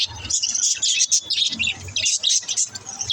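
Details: Pet budgerigars chirping to encourage lonely budgies: a short stretch of fast, bright chattering chirps in tight clusters, the high notes tumbling and overlapping, with a faint low hum behind.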